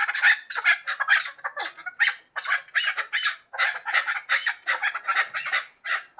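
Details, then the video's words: Hybrid chukar partridge giving loud, scratchy chuck notes in clustered bursts separated by brief pauses, brighter and more broken than a smooth run. "Кабки гибрид"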